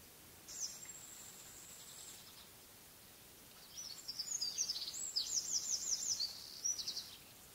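Firecrest singing: a very high, thin drawn-out note, then a quick run of needle-fine notes that gathers pace, over a soft outdoor hiss.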